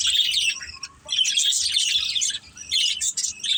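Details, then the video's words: Several pet budgerigars in a family group chirp while playing: dense, busy twittering and warbling with scratchy, buzzy notes running almost nonstop, broken by short pauses near one and two and a half seconds. "Beautiful Budgies Chirping Sounds"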